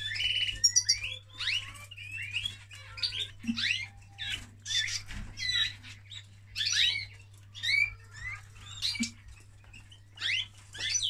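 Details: Male canary singing during mating: a continuous run of varied bright chirps, trills and rapid sweeping notes in short bursts, with a steady low mains-like hum beneath.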